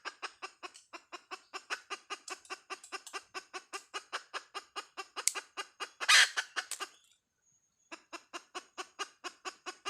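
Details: Hen chicken, "Dib tsauj" call: rapid, regular clucks run on for seconds, broken by one louder, harsher squawk, then a short silence before the clucking resumes at the same quick pace.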